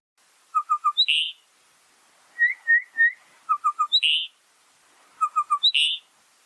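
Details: A Bokmakierie, a common Eastern Cape bird, gives loud, ringing whistled phrases: a run of three or four quick clear notes ending in a burry upslurred flourish, repeated about every two seconds.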